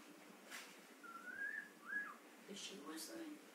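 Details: Playful blue-fronted amazon parrot whistling: two separate tonal whistles, the first long and gently rising, the second short and arched. Brief clicks and faint voices are heard around them.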